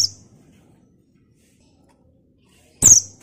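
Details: Female buxtoni white-eye giving its lure call for untrained white-eyes: a high, thin descending note cut at the start, then silence, then a second sharp downslurred note.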